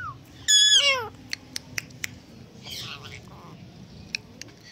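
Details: Pet Indian green ringneck parakeet mimicking a cat's meow: one loud, harmonic, downward-sliding cry, followed by scattered sharp clicks and faint background chatter.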